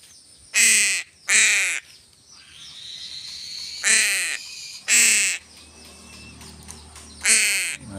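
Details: Crow calling while being hand-fed fish: five loud, rasping, harsh caws in uneven spacing, some in close pairs, with quiet chirps and low background noise between them.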